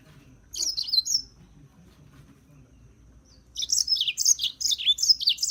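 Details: A brief high, tinkling squeak of European serin, then a longer rapid, jangling burst of thin, sharply slurred notes.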